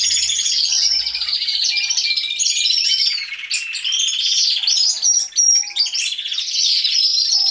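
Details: Hidden-camera recording inside a canary aviary with all the birds singing: overlapping high warbles, rolling trills and sharp whistled notes forming a steady loud chorus.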